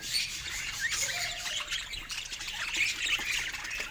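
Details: Budgies chirping happily as pets, an unbroken high twittering warble with overlapping squeaky notes and harsh short squawks, steady in loudness for the whole stretch.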